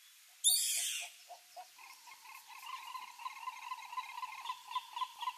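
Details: Pantanal green ibis in Brazil. A loud rough burst is followed by a few spaced hollow notes. These build into a continuous, fast, rolling chatter of repeated mid-pitched pulses with faint higher overtones.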